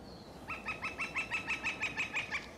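A Red-shafted Flicker gives a quick run of about a dozen loud, even, ringing notes, roughly six per second, steady in pitch, over quiet outdoor background.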